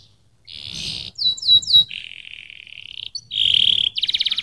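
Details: Canary singing a varied sequence: a buzzy trill, a few quick descending whistled notes, a long even rolling tour, then a rapid pulsed trill at high pitch.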